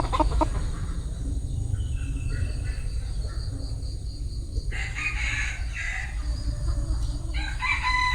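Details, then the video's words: Crowing bantam rooster: a long, bright, harmonic crow swells midway and trails off, then a shorter crow follows near the end, over a continuous low background drone. "Tiếng Gà trống tre gáy"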